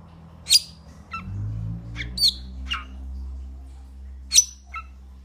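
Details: Metallic starling giving a few isolated, piercing high squeaks and shorter clipped notes over a steady low mechanical hum.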